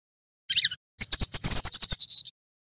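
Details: ['Whistling nyuling song of a Banten male brown-chested jungle flycatcher, used as a master song. A rough twittering note is followed by a rapid, clicking run of descending high whistles that ends in a pair of level tones.']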